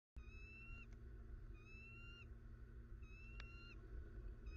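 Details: Bald eagles in Southwest Florida, recorded 21 December 2019: three bursts of thin, high whistled piping notes, each slightly rising with ringing overtones, about one per second, over a steady low rumbling hum.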